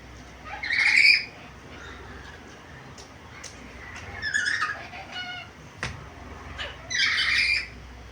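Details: Black-capped lory, described as very vocal and able to talk with varied sounds: scattered harsh squawks and a short series of quick harmonic notes, with a few sharp clicks and quiet gaps between bursts.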